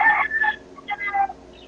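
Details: A rooster on a farm in India, heard in the background of a phone call, crows in hoarse, harmonic bursts that rise and fall over about a second and a half, thin and muffled by the telephone line.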